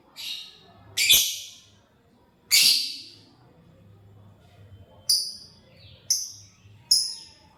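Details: Lovebird eating corn and chirping: scattered shrill, harsh high chirps, two strong ones early, then three shorter thinner squeaks about a second apart near the end, over a faint low hum.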